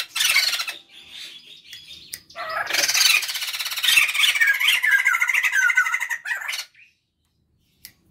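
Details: White-crested laughingthrush pair, male and female, kept at home as a lure: harsh broadband squawking chatter, then a long loud babbling cackle with warbling notes, ending in silence.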